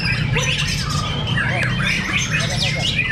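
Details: White-rumped shama (murai batu) fighter birds in a fierce singing contest at Cibinong: dense overlapping whistles and slurred notes between one and four kilohertz, steady low rumbling background noise throughout.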